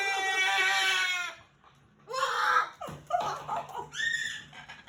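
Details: A pet male Moluccan cockatoo, very vocal before bed while played with and talked to indoors, recorded June 2020: a long harsh rasping squawk, then shorter nasal calls and wavering cries.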